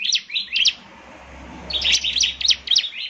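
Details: Bar-winged prinia singing to provoke other prinias into answering; a few sharp high chirps, a brief pause with faint hum, then a quick run of scratchy notes.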